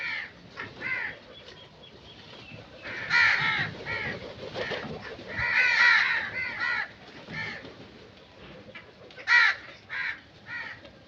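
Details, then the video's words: Several crows caw repeatedly, short rasping notes in irregular runs with a few louder, harsher calls standing out. "Crow Sound Effects"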